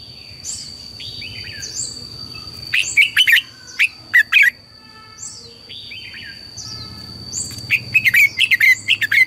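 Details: Red-whiskered bulbul singing a lively morning song, a lure for training birds: soft slurred whistles at first, then bursts of quick, loud, warbled notes that end in a fast rattling run, over a continuous high whine.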